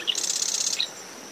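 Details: Short piece of Marsh wren song near a nest in coastal dune shrubs at SMNWR: under a second of rapid, high, buzzy rattling trill, with a steady cricket tone continuing afterward.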